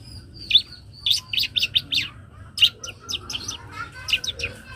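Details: Young long-tailed shrike singing a full song packed with varied fill-in phrases: rapid sharp chirps and short whistled notes in quick bursts, with brief pauses between clusters.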